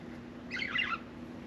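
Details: Pet budgerigar giving one short burst of scratchy, warbling chatter lasting about half a second, in a quiet room with a faint steady low hum.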